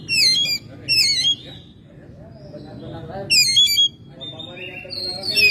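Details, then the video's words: Oriental magpie-robin, a home-kept bird in May, giving loud harsh rasping bursts of descending notes about every second, with quieter thin whistles between, and a low background murmur. "Burung Kacer gacor rumahan"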